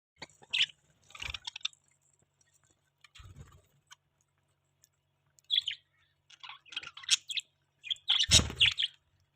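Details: Budgerigars chirping in the morning while eating their breakfast feed; short bright chirps in scattered bursts, with occasional low thumps and clicks from feeding.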